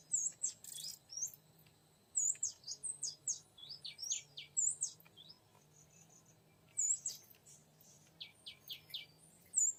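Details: Oriental magpie-robin in a bid to lure a young wild male in forest: bursts of high, varied whistled and slurred notes in quick phrases, pausing between groups, with a low steady hum beneath.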